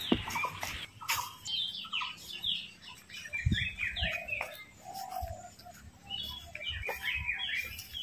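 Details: A Ringneck parrot eating apple and talking, giving a busy run of chattering, squeaky, speech-like syllables and short whistles, with soft clicks and knocks in between.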